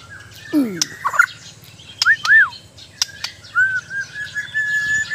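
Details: White-rumped shama from Borneo in mental training: a low rasping downward note, sharp clicks, paired arched whistles, then a drawn-out wavering whistle, over a steady low hum.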